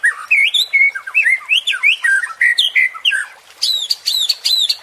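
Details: Rich varied song of a white-rumped shama, meant to provoke and train contest birds, with fluid whistled phrases rising and falling, ending in a few sharp, high repeated notes.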